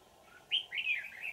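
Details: Red-whiskered bulbul, a wild old forest bird trapped using a decoy on 20 December 2018, gives one brief bright phrase of slurred, rising and falling whistled notes against a low steady hum.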